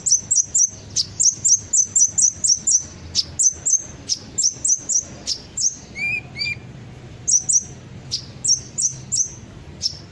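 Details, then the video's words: Sunbird ('kolibri ninja') song used as a lure for birds to sing along: fast, steady strings of piercing high chirps, briefly broken by a few lower whistled notes midway. "pancingan suara burung kolibri ninja pasti langsung ikut bunyi"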